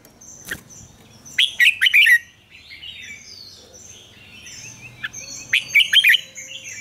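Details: Red-whiskered bulbul singing in the morning, mature wild double-note song used to coach other bulbuls; two loud bursts of fast rolling warbles about four seconds apart, with soft high chirps of other birds in between.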